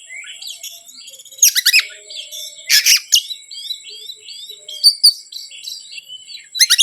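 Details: Provoking lure song of an Oriental magpie-robin: quiet high whistles and twittering phrases broken by loud grating chatter bursts, some doubled, near the start, middle and end.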